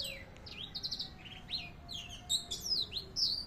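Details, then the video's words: Tutor recording of a canary singing: quick descending sweeps and rapid repeated chirp trills, with sharp high notes toward the end over faint background hum. "Masteran handal sanger"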